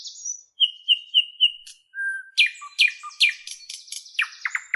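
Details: Bright birdsong: a few repeated whistled notes, a long low whistle, then loud down-slurred notes and tumbling high twittering, with no other noise.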